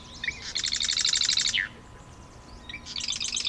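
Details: A male Marsh Wren sings at a cattail pond in Taquanyah Conservation Area near Cayuga, Ontario, in 2024, with a second bird about 40 ft across the pond. A dry, rapid rattling trill of buzzy notes about a second long, ending in a slur, then another burst.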